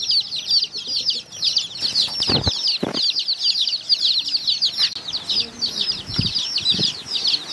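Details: Many colored chicks peeping while feeding alongside hens: a dense, continuous chorus of high, shrill peeps overlapping throughout, with a few dull low thumps and knocks in the background.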